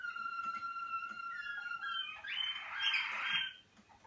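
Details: Malinois Waterslager canary during first cabin sessions, warming up. A long clear whistled tone slides upward, then breaks into a loud, rough, bubbling burst before fading out.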